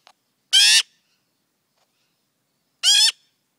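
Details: Tame magpie fledgling, perhaps hand raised, calling for attention in the morning: two loud harsh rasping squawks separated by over two seconds of quiet.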